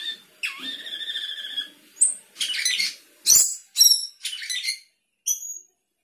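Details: Sooty-headed bulbul singing 'gacor isian': a long buzzy warbled phrase that swoops upward, a high squeak, scratchy chatter, then several sharp stacked high whistles with pauses between.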